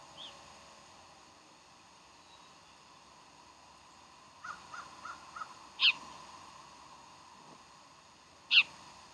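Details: Bald eagle at Decorah on 15 January 2012: a short run of four lower staccato notes, then two loud, high, sharp chirps about three seconds apart, with a steady background hum.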